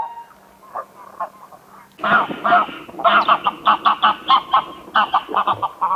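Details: Greylag geese start with a few soft, separated calls, then break into a loud run of rhythmic nasal honks, several per second, continuing steadily to the end.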